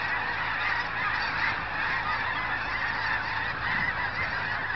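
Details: Massed geese on winter migration, recorded 14 January 2011 beside an old cemetery near Crestline, Kansas, produce an unbroken wall of countless overlapping honks and yelps, steady in loudness throughout.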